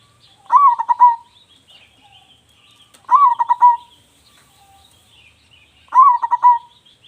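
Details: Big-voiced local zebra dove, a keen singer used as a lure, delivers three rapid stuttering coo phrases spaced about two and a half seconds apart. Faint high twittering of other small birds runs underneath.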